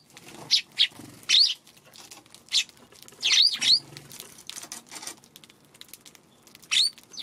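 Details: Eurasian tree sparrows wary of a Godzilla figure by the feeding spot on a March afternoon; irregular short chirps, a few paired together, with quiet stretches and soft low thumps.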